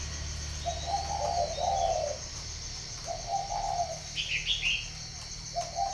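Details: Spotted dove at a northern Vietnamese breeding farm in Ba Vì, delivering soft, rolling coo phrases, one long and one shorter, then the start of a third. Sharp high chirps from a small bird break in between.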